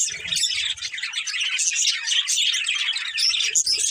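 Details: A family of pet budgerigars chirps nonstop, overlapping rapid warbling notes and sharp squeaky tweets in a busy, unbroken stream, with soft low bumps near the start and end.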